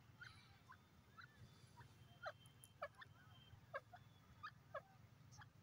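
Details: Grey francolin giving soft, short, downward-slurred notes, spaced irregularly about half a second to a second apart, with a few fainter chirps between them over a low background hum.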